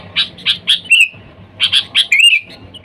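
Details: Sooty-headed bulbul calling wild companions, used as a lure: three quick bright chirps followed by a drawn-out slurred whistle, the pattern repeated twice, against a soft low hum.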